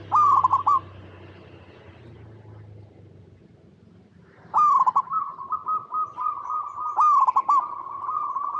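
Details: Zebra dove of local stock in strong cooing form, used to prompt other zebra doves to call: a short trilled coo phrase, a pause with low hum, then a longer run of stuttering notes drawn into a sustained even coo.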